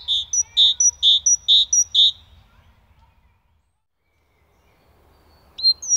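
A great tit sings a bright two-note 'teacher' phrase, repeated five times in quick succession, then falls silent before a single rising note.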